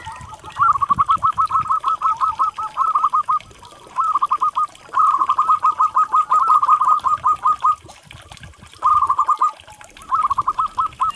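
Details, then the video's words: Local zebra dove song used as a therapy and lure sound for stressed doves that have stopped calling: bursts of rapid, evenly repeated soft cooing notes run together in rolling trills, with short pauses between phrases and faint low background rumble. "SUARA TERAPI PERKUTUT"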